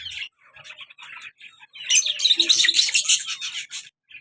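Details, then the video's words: Caged lovebird pair, a colour male and black-mask female: scattered soft chirps, then a loud, fast burst of piercing high chattering notes lasting about two seconds before fading into occasional calls. "colour love bird male and black mask female beautiful sounds"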